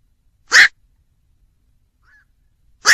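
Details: Black-crowned night heron: two loud, rough, croaking squawks over two seconds apart with a faint short note between them, in silence.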